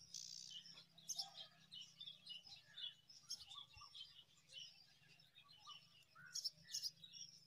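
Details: Hissing, rasping bursts from five young mynas fed date fruit by a parent, spaced irregularly with soft chirps between them and a low background hum.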